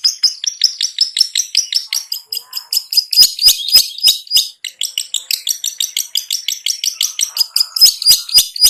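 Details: Cendet (long-tailed shrike) giving rapid 'ngetet' song as a lure for birds that sing little: a dense, nearly continuous stream of high chirps and clicks, around three or four notes a second, with no pauses.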